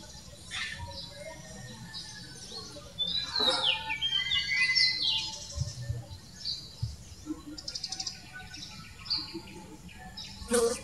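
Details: Magpie robin song made of scattered whistled phrases, sharp chirps and short rapid rattles separated by brief pauses, with low rumbling noise underneath and a faint voice-like murmur.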